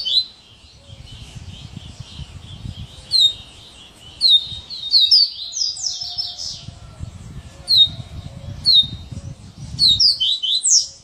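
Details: "Serra elétrica" song of a coleiro: repeated bursts of high, sharp, sawing notes and quick slurred chips, separated by short pauses, over faint low background rumble.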